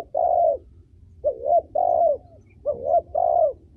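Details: Female spotted dove, a cage bird kept to train young birds and stir males, cooing: low hollow two-part coos, each a short rising note then a longer level one, in phrases about a second apart.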